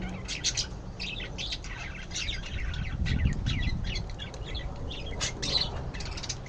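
A bulbul gives quick, bright chirps over a low background rumble; the notes come in overlapping bursts, possibly from more than one bird.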